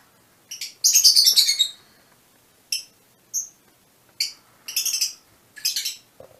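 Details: Fischer's lovebirds in mutation colors giving a short burst of rapid shrill chatter, followed by scattered single high chirps and small clusters of chirps spaced about a second apart.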